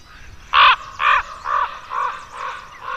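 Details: Juvenile common raven calling in Côtes d'Armor, France: six hoarse, grating caws about half a second apart, the first loudest and the rest gradually softer and lower.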